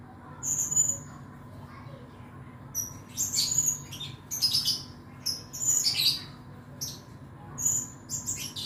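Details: Male blue-crowned hanging parrot, a caged songbird used as a tutor for other birds and entered in contests, sings bursts of very high, thin, piercing whistles and buzzy chirps in quick clusters.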